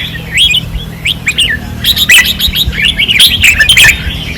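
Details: Red-whiskered bulbuls on a practice perch in Pattani, 2024, singing intensely: rapid, bubbly whistled notes rising and falling, dense clusters of phrases in the second half, with a low background hum.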